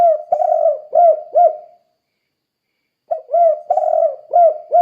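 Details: Phrases of low hooting coos from a spotted dove, in the 'kuk 2' calling style used to train other doves. Four coos, a pause of over a second, then the next phrase of five coos.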